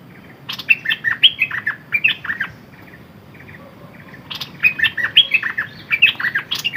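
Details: Decoy Red-whiskered bulbul giving two lively phrases of rapid, chirpy, slurred whistles about four seconds apart, with a few soft notes in the gap; no other sounds stand out.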